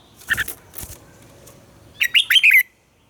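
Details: Captive red-whiskered bulbul singing its morning song for training purposes, a few muffled notes and rustles, then a fast phrase of bright, descending warbled notes.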